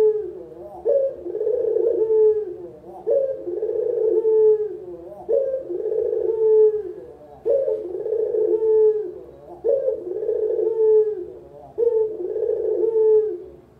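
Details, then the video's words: Long series from a local puter collared dove, recorded as a beginners' master and lure: about six low rolling coos, each a quick rising flick into a purring trill, repeated evenly about every two seconds. "Masteran Burung Puter, Suara paling dicari untuk PEMULA"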